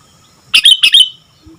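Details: A sooty-headed bulbul sings a short, loud double phrase of rich chirps, each ending in a bright, level whistle. The background is quiet apart from a faint low hum.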